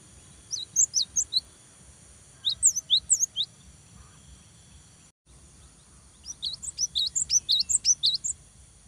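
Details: Cinereous tit in full song, used to provoke rival birds into singing: two bursts of quick, high, sliding whistled notes alternating upper and lower pitches, separated by a pause of about a second, over faint low background hum.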